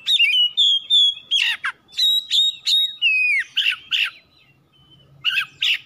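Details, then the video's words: Oriental magpie-robin singing to provoke other birds to sing: loud whistled phrases with rising and falling slurs, interspersed with sharp buzzy chips, pausing near the end before resuming. "PANCINGAN KACER LANGSUNG NYAUT GACOR"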